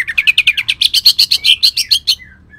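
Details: Cucak ijo leafbird of Kalimantan firing a rough song burst with shrike-like fill: about fifteen loud, rasping, evenly spaced notes in quick succession, ending with a soft falling whistle.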